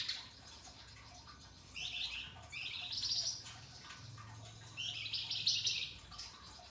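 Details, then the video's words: Pied triller masteran recording, rough and sharp in style: several quieter buzzy rising rasps in quick succession over a low steady hum in the background. "Top Masteran Flamboyan Gacor Dor Ngebren, Mbeset Kasar dan Nembak Tajam Suara Kristal"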